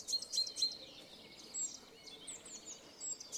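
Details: Great tit singing its energetic spring song, unlike its February–March tinkling, in Shipov Forest, Voronezh Region: faint high, thin notes in a quick motif repeated three times, then scattered softer phrases over quiet background hiss.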